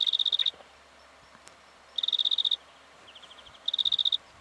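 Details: Black-fronted dotterel (Elseyornis melanops) in Victoria, Australia, October 2011: three half-second bursts of rapid, metallic ticking notes, separated by short pauses, with faint background hiss.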